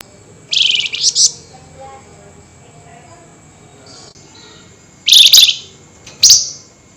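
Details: Common flameback calling at night in an excited, highly agitated nyerecet style: two short harsh, buzzy rattling bursts early on, then after a quiet gap two more scratchy chattering bursts close together near the end.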